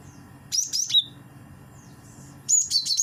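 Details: Lure call of the cinereous tit, wingko type: a quick string of piercing high notes sliding down to a lower whistle, then another high chattering phrase after a pause, over steady hiss.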